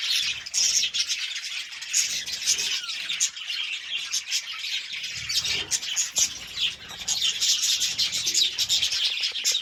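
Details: A flock of budgerigars keeps up a busy, high-pitched warble of chirps, squeaks and short squawks, many voices at once for the whole stretch with a few soft low thumps.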